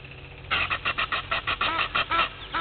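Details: Blacksmith lapwing at Gowrie dam waterhole, Djuma Game Reserve, Sabi Sand, South Africa, 06:45 on 03/02/21: a rapid series of about ten sharp, metallic hammer-on-anvil notes, roughly four per second, over faint hiss.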